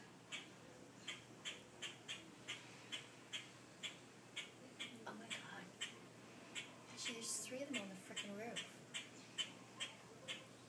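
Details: Grackle caught on a mobile phone: a run of harsh clipped chacks, about two per second and somewhat irregular, with brief human speech breaking in near the middle.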